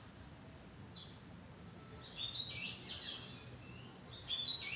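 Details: Oriental magpie-robin perched in a tree thicket, singing bright high whistles and a quick cluster of sharp, rich notes, then another fast whistled burst at the end; quiet background.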